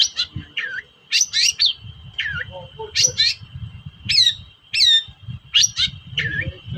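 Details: Long-tailed shrike in a 'toet-toet' lure recording aimed at making unwilling shrikes sing: sharp chirps and downslurred whistles in clusters, irregularly spaced, over a steady high whine and low background rumble.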